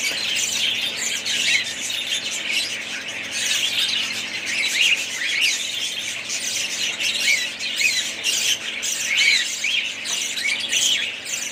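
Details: A flock of budgerigars keeps up long, busy chatter. Scratchy warbles, squawks and sliding whistled notes overlap continuously, swelling in bursts every few seconds.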